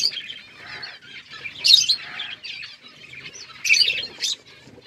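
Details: Budgerigars in a planted aviary give a continuous warbled chatter of high trilled notes, with two louder squeaky outbursts about two seconds apart.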